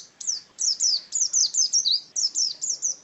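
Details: High, fast chirping song from a pleci (white-eye) kept as a contest pet: sharp descending whistled notes in quick succession, some slurred together, with a brief pause near the middle.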